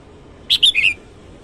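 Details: Red-whiskered bulbul in the morning giving a brisk three-to-four note whistled phrase, starting sharp and ending in a rolling, slightly lower warble, all within half a second.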